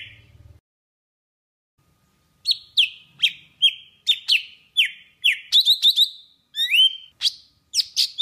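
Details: A long, steady sequence of sharp, falling whistled notes, some in fast triplets and one rising slur, comes from a golden-fronted leafbird of Vietnam whose song serves to lure birds for trapping.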